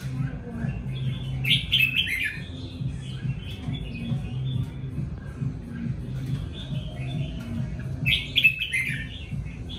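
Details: Two lively warbled bursts from a red-whiskered bulbul in good song, separated by faint twittering, with a persistent low hum beneath.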